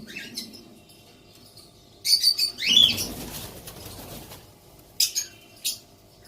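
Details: A baby female white cockatoo gives a few harsh, raspy screeches with a dropping squawk, then two brief scratchy calls, mixed with a burst of flapping wings.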